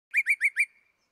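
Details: Northern cardinal, played back as the first of two variations and likened to a laser beam: four quick, bright, upslurred whistled notes in rapid succession, ending in a brief fading tail, with no other sounds.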